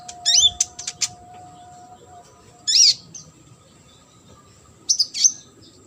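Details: Sunbird, a competition bird, sings three short bursts of high, sharply rising and falling whistled notes separated by pauses of a couple of seconds; a steady faint tone runs beneath.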